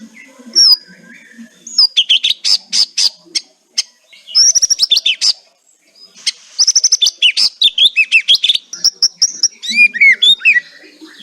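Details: White-rumped shama giving kretekan song, intended to stimulate silent birds: dense bursts of scratchy chattering and fast high trills in several phrases, ending in swooping whistles.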